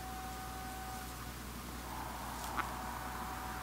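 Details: Steady low hum and hiss in a workshop setting, with faint tonal lines and one short sharp knock near the end; no animal voice.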